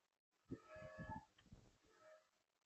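Red-bellied woodpecker giving a rolling, burry churr of about a second, followed by a softer, shorter note; the recording is quiet, with no other clear sounds.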